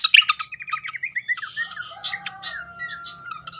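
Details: Flycatcher known locally as srikatan, a lure recording to prompt singing: an opening run of quick descending whistled notes, then scattered chirps and a long, thin, level whistle near the end.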